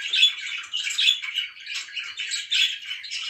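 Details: Budgies chirping at morning time, a loud close chatter of harsh squawky chirps and warbles in quick bursts about once a second, high-pitched and continuous.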